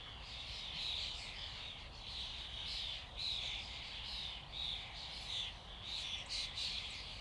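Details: Flock of common starlings: a dense, continuous chatter of overlapping squeaky whistles and clicks, with brief louder bursts every second or so and a steady low rumble beneath.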